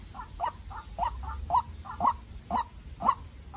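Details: Captive-bred young white-breasted waterhen used as a decoy, fighting a wild bird by voice: repeated harsh, throaty notes, some doubled, about two per second, growing slightly louder toward the end.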